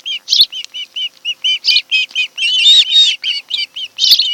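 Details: Nesting ospreys on Kent Island, Maryland, late July afternoon; fast insistent series of high whistled chirps, about four per second, mixed with louder harsh squeals.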